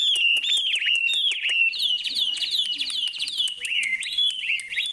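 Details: Bright, clear bird song of repeated slurred whistled phrases, rising and falling, with sharp high ticks mixed in, delivered rapidly and without pause.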